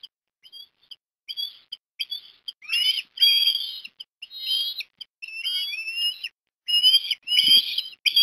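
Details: Breakfast feeding of an osprey chick with fish at Port Lincoln, Australia, 17 December 2021; quiet short whistles build into louder, insistent piping calls, some wavering and rising, delivered in quick irregular series.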